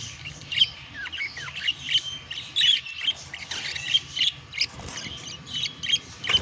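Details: Pet budgerigars courting and mating: sharp squawky chirps and scratchy warbles come in uneven bursts about every half second, with some louder clipped squeaks, over a low background hum.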